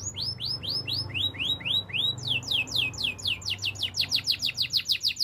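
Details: Spanish Timbrado canary sings a training song: evenly spaced rising whistled notes, about four per second, that speed into a dense run of steep high sweeps, all loud and clean.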